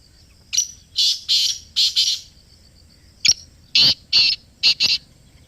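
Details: Black francolin (kala teetar) calling in Pakistan, recorded close: two phrases of harsh, grating bursts, first four rasping notes then a sharp click and four more scratchy notes, over a quiet background.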